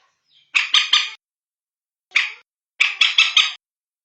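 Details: Common moorhen, known locally as bantiung, calling in a recording played at night to attract the birds. A quick triple of harsh, buzzy notes, one lone note, then a fast four-note burst.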